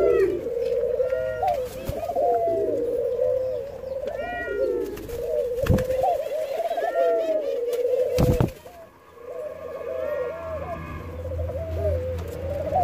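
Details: Jamaican white-crowned pigeons at hand feeding call in a long, steady stream of quavering, looping mid-pitched notes, broken by a few sharp clicks and knocks and a brief pause.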